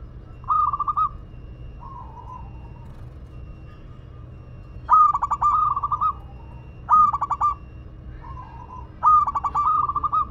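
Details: Zebra dove from Madura, a local perkutut, giving repeated song phrases of fast stuttering coos, interspersed with softer purring notes and pauses of a second or two.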